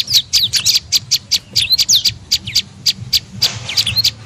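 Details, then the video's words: Tailorbird, locally prenjak lumut, in a lure call for attracting birds: sharp high chirps roughly every quarter second, mixed with a few rising and falling whistled slurs. "SUARA PIKAT BURUNG PRENJAK LUMUT PALING AMPUH"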